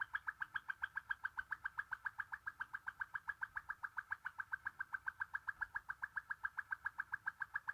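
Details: Waterslager canary, a Belgian-developed song canary breed whose song is said to resemble dripping, flowing water, delivering a long, even, rapid rolling trill of mellow mid-pitched pulses without a break.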